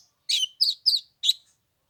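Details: Oriental magpie-robin on the third day of Lunar New Year in 15-degree cold, giving four short, bright, slightly harsh notes in quick succession, then silence.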